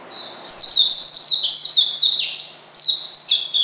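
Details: Loud, continuous high twittering of an Oriental white-eye provoking a rival, with rapid chirped notes sliding downward in quick series.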